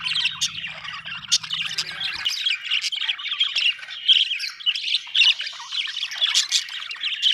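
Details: Budgerigars squawk and chirp nonstop, a lively mix of harsh squeaks and high twittering trills; a low hum heard at first stops after about two seconds.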